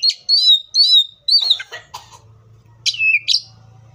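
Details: Wild Oriental magpie-robin giving smooth whistled notes, then a harsher scratchy passage, then a rising and falling whistle, over a steady low hum.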